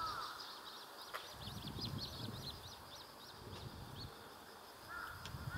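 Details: Little grebe family, parents with three juveniles of clearly different sizes, on a pond near a mountain trailhead, giving a run of thin, high, rapid peeping notes for about three seconds, with a brief clear whistle at start and end, over low rumbling.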